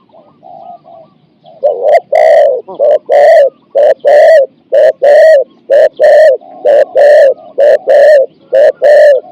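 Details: Spotted dove used as a decoy to lure wild doves, singing the 'ku-ang' style of four to five syllables: faint soft coos, then loud hoarse coos in close pairs, about one per second, steady and clipped.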